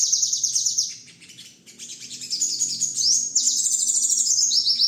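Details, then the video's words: Sogon bird master song for training songbirds: fast, high twittering runs with rapid trilled notes. A brief quieter pause comes near the middle, then an energetic chatter of repeated sharp phrases. "masteran #burung sogon"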